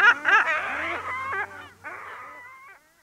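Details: At a colony on Walney Island, Cumbria, a lesser black-backed gull recorded close up gives harsh, laughing, nasal notes in a quick burst, then drawn-out wavering mew and long calls, over a low hum.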